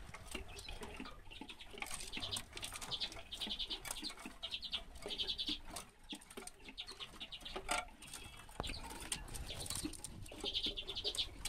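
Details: Common redpoll recorded in 2016, giving dry, buzzy rattling trills in short repeated bursts, with several bursts spread across the recording and scattered broadband clicks and low background noise between them.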